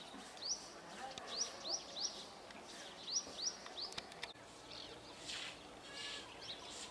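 A flock of Brahminy starlings gives quick, rising, squeaky chirps in irregular bursts, with a wash of other chatter and background noise.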